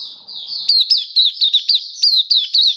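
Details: Singing Oriental white-eye, the Mata Puteh of the Kitaro type, kept as a hobby bird, 27 October 2022: a run of high, clipped, twisting chirps after a short sustained thin note.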